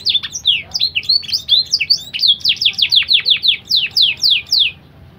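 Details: Canary crossbred from BBSF and Berner, its song filled with blackthroat phrases; quick twisting whistled notes lead into a rhythmic chain of bright descending slurs, about three per second, ending abruptly.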